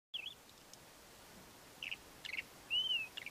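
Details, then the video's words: A male Ant-eating Chat sings his courtship song: a few short, squeaky chirps at irregular intervals, then one clear, slightly rising whistle, all high-pitched over faint hiss. "Ant-eating Chat song"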